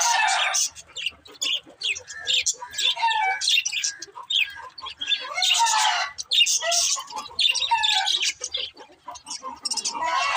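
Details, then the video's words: Pet budgies in nonstop busy chatter: jumbled squeaks, raspy buzzes and high twittering notes, rising and falling in loudness over about ten seconds. "Cute Budgies Chirping Sounds"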